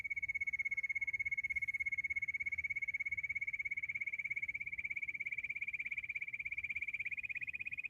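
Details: Bush quail, given as a hunting call: a long, very regular, rapid high trill at a steady pitch that gradually rises and becomes rougher toward the end.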